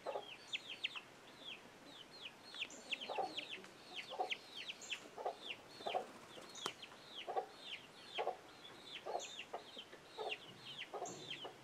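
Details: Hen and young chicks communicating, chicks quick to scramble at an alert; dense, continuous high peeping with falling pitch, broken by soft low clucks at irregular intervals.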